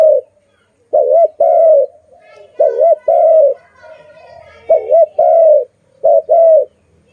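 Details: A pet dove calling very loudly: a short double-humped coo followed by a longer steady coo, the paired phrase repeated about four times in quick succession, with faint softer cooing between phrases.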